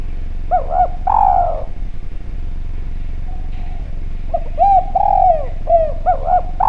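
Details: Clear-voiced Javanese spotted dove from a lure recording, calling busily: double looping coos and a long falling coo, a pause, then a run of rounded arched coos ending in paired notes, over low hum.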